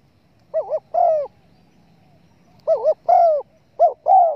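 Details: Spotted dove calls used as a lure for bird hunters: soft, low cooing phrases, each a quick double-hooted coo followed by a longer, drawn-out falling coo, repeated three times with short silences between.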